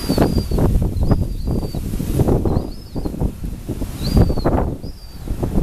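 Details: Gull chicks in South Boston, 2013, begging for food with high, thin, slurred whistles in twos and threes, partly buried under heavy gusting wind and rumble.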